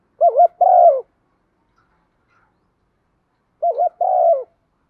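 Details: Decoy spotted dove calling in thúc vấy style, one-ending phrasing: two identical coo phrases about three and a half seconds apart, each a quick wavering pair of notes followed by a drawn-out falling coo, silence between.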